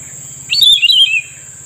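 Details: Cucak rumbai tungging singing in response to a trapping lure: one short, loud, wavering whistled phrase that falls toward its end, with a constant high droning hum and low rumbling behind it.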